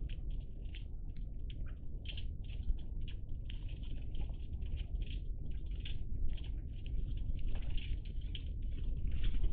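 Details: Iberian magpies, a group recorded 03-10-20, giving a steady stream of short, harsh, rasping calls that overlap in quick succession, over a constant low rumble.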